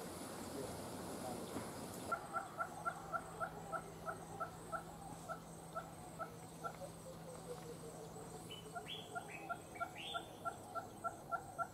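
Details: Western Red-billed Hornbill, a common bird in the Gambia, giving a long, steady series of quiet clucking notes at about three per second, with a few higher rising notes from another bird near the end.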